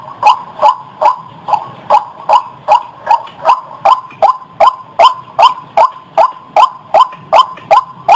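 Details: Regular, evenly spaced sharp notes from a white-breasted waterhen, used to attract birds, about two and a half per second. Each note has a clicking attack over a sustained mid-pitched tone.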